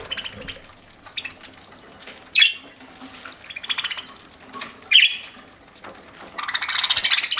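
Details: Parakeet eating at home, giving sharp squawky chirps at about two and a half and five seconds, softer twittering between them, and a dense burst of scratchy chatter at the end.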